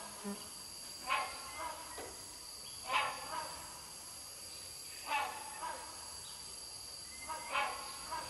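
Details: Hornbills calling around 11 am on 21 August 2020 at Sungai Papan campsite, Royal Belum State Park, Perak, Malaysia: harsh, honking barks in loose pairs about every two seconds, over a steady high whine of cicadas.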